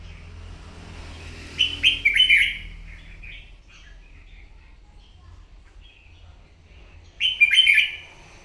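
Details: Morning competitive song of a wild-caught red-whiskered bulbul: two rich warbled phrases about five seconds apart, separated by scattered soft chirps, with low background rumble.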